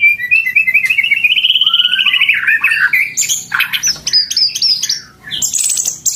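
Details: White-rumped shama kept as a pet, singing at full volume: a long fast rippling trill rising then sliding down, followed by sharp high chattering notes and whistled bursts, delivered without pause, with a faint low hum behind.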